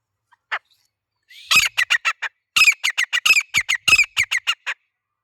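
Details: One isolated note, a pause, then a male grey francolin bursts into a fast, steady string of around fourteen loud, rasping notes with a ringing tone, clean and free of other sounds.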